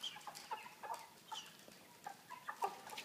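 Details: Quieter moment among 3 kg broiler chickens caged with a pan feeder on a plastic floor: brief high chirps and clucks at irregular intervals, with light tapping.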